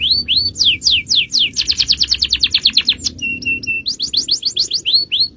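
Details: Canary training song in the 'cengkok jawara' champion style. Upslurred notes lead into a dense rapid trill, a short series of steady level whistles, then more quick sweeping notes.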